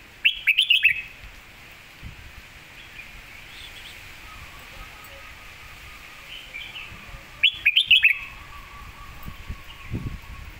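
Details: Red-whiskered bulbul master song for tutoring birds: two bursts of quick slurred whistled notes about seven seconds apart, with a faint warbling and a steady low hum in between.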